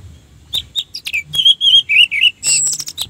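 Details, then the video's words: Orange-headed thrush singing as a lure to excite rival thrushes. Varied short whistled phrases, some warbled and some slurred down, follow one another closely, with a thin high whistle near the end. "suara Anis merah untuk pancingan"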